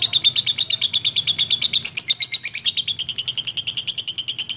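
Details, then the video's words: Lovebird in full ngekek, described as gacor: a continuous machine-gun string of high, harsh chattering notes that shifts to a slightly higher, thinner tone partway through and keeps going without a pause. "SUARA BURUNG LOVEBIRD GACOR NGEKEK & TELER"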